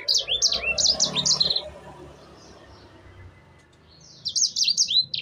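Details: Canary singing briskly, used as a lure to prompt birds to sing: a burst of fast repeated high chirps and downslurs, a quiet gap with low rumbling background, then another quick chirping phrase.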